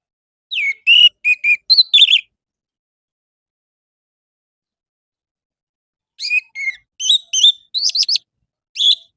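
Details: Orange-headed thrush song from a morning lure for captive birds: two bursts of rapid, sharp, varied whistled and buzzy notes, about six each, separated by a roughly four-second pause.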